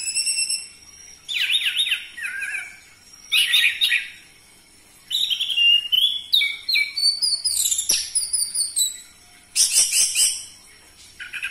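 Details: Orange-headed thrush song to spur captive birds into singing: loud, varied whistled phrases in bursts, descending slurred notes and rapid high chatter, separated by short pauses.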